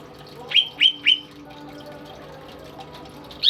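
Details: Tame pet greater green leafbird giving three short, sharp, downward-sliding chirps in quick succession, then a pause before a brighter note begins, with low background hum.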